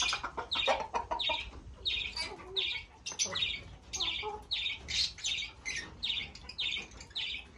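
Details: A continuous chatter of short, high, scratchy chirps from Fischer's lovebirds, evenly spaced through the recording.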